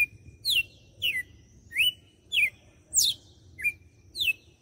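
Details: Red-cowled cardinal, a captive songbird from Fortaleza, Ceará, Brazil, singing the "açoite" song style: a series of seven loud, clear whistled notes, each sliding steeply downward, spaced about every 0.6 seconds, over faint low background hum.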